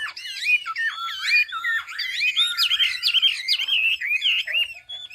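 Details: Chinese hwamei from Hà Giang, Vietnam, sung for training other birds: a loud, fast run of clear whistled notes, sliding and looping up and down, with rapid varied phrases and no break.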